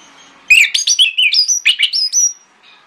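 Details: A single quick phrase from an orange-headed thrush in the morning, sung to lure other thrushes: about a dozen clear whistled notes stepping up and down, ending on a long high whistle.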